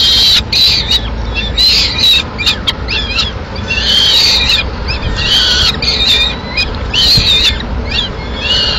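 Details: Female peregrine falcon feeding pigeon meat to two nestlings in Madrid on 21 May 2016. Repeated grating squeals in bursts under a second long, some sliding downward, with irregular short silences.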